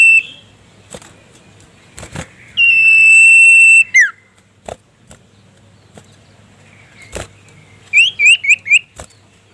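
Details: Sirtu-type common iora calling a rival: one drawn-out level whistle ending in a steep falling note, followed later by a quick run of five short upslurred whistles, with clicks and thumps in the background.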